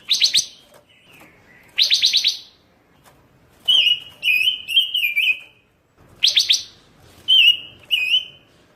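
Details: Pancawarna songbird from a tutoring recording, singing energetically: short bursts of rapid, scratchy high chirps alternating with clear, slurred whistled notes that dip and rise, in groups with brief silences between.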